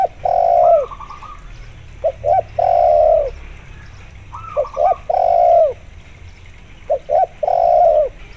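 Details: Energetic spotted dove cooing, played with local zebra dove voices to prompt zebra doves into answering. The phrase is repeated three times about every three seconds: two or three quick coos and then a drawn-out, downward-sliding note. A fainter rippling higher sound comes in between.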